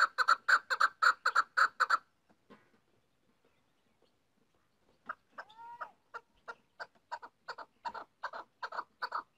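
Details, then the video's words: Female chukar, maskati voice: a quick run of clucking notes, a pause with faint sounds, then soft notes including a whistled glide that build again into a regular chuck series. "female chakor voice | maskati chakor voice"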